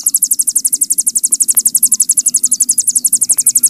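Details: Hill prinia, called ciblek gunung locally, giving its long bren used to tutor cagebirds: a continuous, very high, machine-like rattle of about ten pulses per second throughout.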